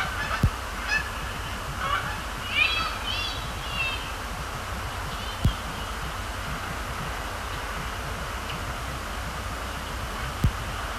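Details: Canada geese at night on Sapsucker Woods Pond, Cornell Lab of Ornithology, during fly-overs and splash-downs: a few short harmonic honks cluster early on, then calm, with a steady low hum and occasional sharp clicks.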